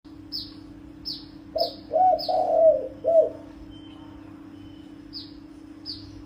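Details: Spotted dove calling to lure and provoke wild birds: a short series of low, hollow coos in the middle. A steady low hum runs beneath, with faint high ticks before and after.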